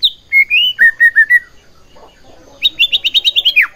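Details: Song of a white-rumped shama used to provoke other shamas, varied whistled phrases sliding up and down, a brief lull, then a rapid series of high chirps ending in a falling note.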